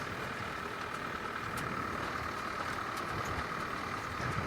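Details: An idling vehicle engine drones steadily under a few faint clicks, with no animal voice.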